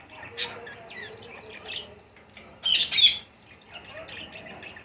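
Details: Baby rose-ringed (ringneck) parakeets begging while being fed give rapid, irregular high chirps and grating squawks, with two louder harsh bursts among steady chattering.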